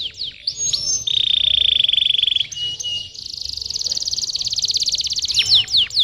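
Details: Canary song used to stimulate young or quiet canaries to sing, a varied run of sweeping whistles that leads into long rapid trills, first a lower rolling trill and then a higher buzzy one, closing with sharp slurred notes.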